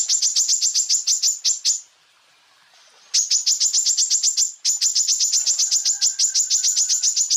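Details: High-pitched full bursts from a greater green leafbird (cucak ijo), recorded for training other birds: three long runs of rapid, shrill, evenly spaced chirps broken by one short pause.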